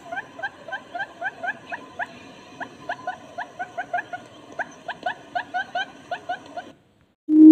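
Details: Barred buttonquail call used as a lure for males and females: quick, evenly spaced nasal pips, roughly two or three per second, for nearly seven seconds, then a brief silence and a sudden loud low thump at the end.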